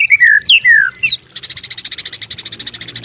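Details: White-rumped shama master song, meant as an easy model for other birds to copy: clear sweeping whistles rising and falling, then a fast, even run of sharp high notes repeated about three times a second.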